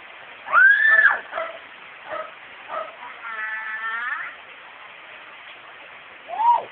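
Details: Indoor pet myna, female, imitating family conversation, opens with a loud arched whistle, adds short clipped syllables and a nasal harmonic drawl, ending with another arched whistle.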